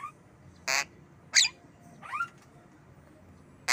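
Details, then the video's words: Captive Javan myna kept as a pet making harsh, loud squawking bursts mixed with a quick upward-sweeping chirp, a few seconds apart. "Jalak kebo"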